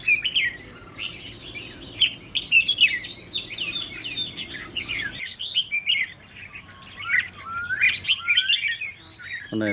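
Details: Apprentice decoy Red-whiskered bulbul, raised in captivity and being trained for a trap cage, tested for its attitude, gives bright, bubbling whistled phrases that rise and fall throughout, over a low hum and faint background noise.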